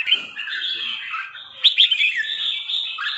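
A red-whiskered bulbul sings a lively, continuous chatter of bright, mid-to-high warbled notes, with a few sharper whistled phrases in the middle.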